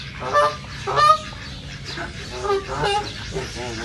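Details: A series of short nasal quacks from ducks in a reserve, about half a second to a second apart and fading toward the end, against a low background hum.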